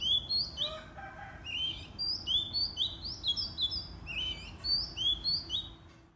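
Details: White-rumped shama singing in the morning: a steady stream of clear, high whistled notes, many sharply rising or slurred, in quick varied phrases over a low background rumble.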